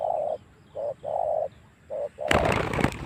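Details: A spotted dove lure call for drawing wild doves into fighting. Soft coos come in short and long notes, then a burst of loud broadband crackling noise takes over.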